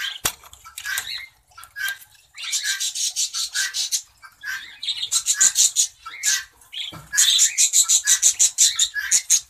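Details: Cinnamon green-cheeked conure in a breeding cage, giving harsh raspy calls in fast repeated bursts, some runs of several seconds, among rustling and scraping.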